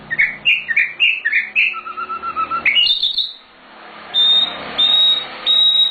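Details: Nightingale (sikatan londo) in full song as a master recording for other birds: a rapid series of chirpy downslurred notes, a low steady whistled stretch, a rising flourish, then three long pure high whistles.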